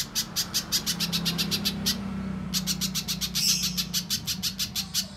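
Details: Little spiderhunter lure recording, meant to prompt birds to sing: rapid series of sharp high chipping notes in two bursts, a short pause between them, over a steady low hum.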